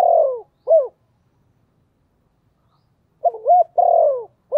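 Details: Decoy spotted dove calling wild doves. The tail of one phrase, a long falling coo and a short arched note, is followed after a pause by a complete low four-note phrase.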